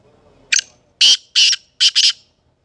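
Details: Black francolin calling in Sindh, Pakistan, loud and close against a quiet background: one short rasping note, two longer harsh grating notes, then a quick double note. The whole phrase lasts under two seconds.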